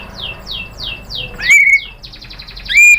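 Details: White-rumped shama lure song for drawing replies from other shamas: a soft series of falling notes repeated evenly, then two loud, bright, drawn-out whistles.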